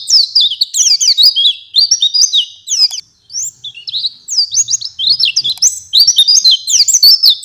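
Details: Oriental white-eye singing a full, varied song while responding to another bird: fast runs of high, sweet, slurred whistled notes, dense and continuous with a short pause near the middle.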